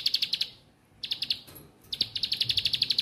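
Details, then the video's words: Rapid high chirping from a bar-winged prinia, offered as lure audio for birds learning to sing: short bursts of quick, evenly spaced notes separated by brief silences, ending in a longer steady run. "Ciblek Ampuh !! Yang Tadinya Malas Bunyi Jadi Gacor , Yang Lagi Belajar Bunyi Jadi Aktif Riwik"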